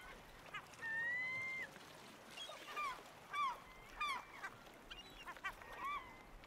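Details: Black oystercatcher calling: one long, even whistled note held near a second, then a run of short, sharp down-slurred piping notes about every half second, over a steady rushing background like surf.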